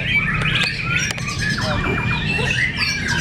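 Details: Murai batu fighters, white-rumped shamas, dueling in a contest at Cibinong. Bright whistled phrases and rising slurs overlap with sharp clicks and a sustained thin whistle, over constant low hum.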